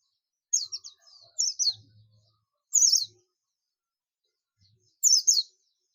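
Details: Buxtomi Oriental white-eye in ngalas, calling its companions: short groups of loud, high, clipped chirps given in quick pairs, with about two-second silences between groups and a faint low rumble.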